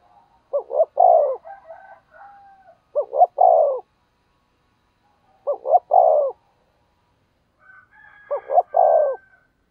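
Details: Decoy spotted dove giving an urging coo meant to provoke wild doves into answering: low three-part hooting phrases, two short notes then a longer falling one, repeated about every two to four seconds. Soft chattering calls from other birds sound between phrases.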